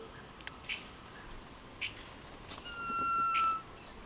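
Sunbittern giving one long, thin, steady whistle lasting nearly a second, with a few short soft chirps and faint clicks around it.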